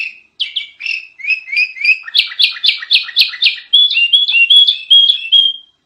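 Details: Loud kutilang tutor song from a sooty-headed bulbul: quick paired chirps build into a steady, rapid chatter of bright notes, then a flowing run of rising and falling whistles.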